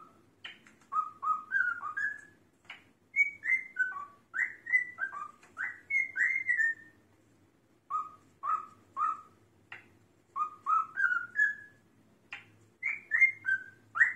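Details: A male cockatiel whistles Queen's "Another One Bites the Dust" in clear, bouncy phrases, making drum-like clicking percussion with his own voice.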